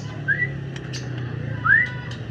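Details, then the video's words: Afternoon song of a white-rumped shama, two bright rising whistled slurs about a second and a half apart, with a low hum and a few soft clicks behind. "Bahan Murai Batu Gacor"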